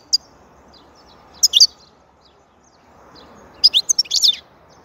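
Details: European goldfinch song: two clusters of high, bright twittering notes, a short burst early and a longer run of quick chirps near the end, over a quiet background.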